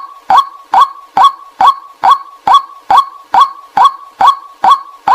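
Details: Decoy recording of a white-breasted waterhen, used to draw in wild birds, giving a steady run of clipped, nasal 'kwak' notes at a regular pace of roughly two and a half per second, with nothing else audible.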